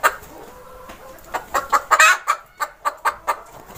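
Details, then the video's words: Chicken clucking in a series of short, harsh bursts around the middle pitch range, loudest near two seconds, then steady clucks roughly every quarter second. "Funny Chicken sound"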